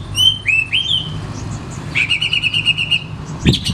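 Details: Oriental magpie-robin song used as a lure recording to prompt reluctant birds to sing. Clear whistled notes rise and slur, then a fast buzzy stuttered series runs for about a second, ending in a sharp burst. A low hum continues underneath.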